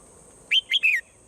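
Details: Swallow singing in the morning, one loud three-note whistle: a sharp upslur, a short peaked note and a longer falling slur, over quiet low background and a steady high hiss.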